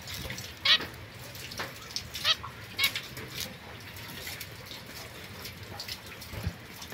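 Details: Young pair of zebra finches, white female and mosaic-coloured male, kept apart from other birds, recorded 22 September 2024; three short nasal beeping calls near the start over steady background hiss.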